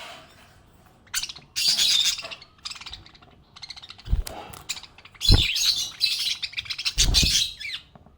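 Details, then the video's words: Happy budgerigar chirping: bursts of bright, buzzy twittering chatter in rapid runs, with short gaps and several dull low thumps in between. "Happy budgie chirping sound"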